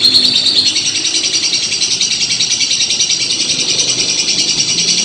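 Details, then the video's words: Lovebird in a long ngekek, a continuous rapid chattering trill of high, buzzy pulses that runs without a break, in a small room. "LOBET SEDANG NGEKEK PANJANG"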